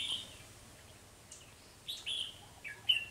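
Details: Red-whiskered bulbul used as a decoy to lure wild birds during trapping, 3 November 2020: a few sparse, bright whistled notes spaced about a second apart against a quiet background.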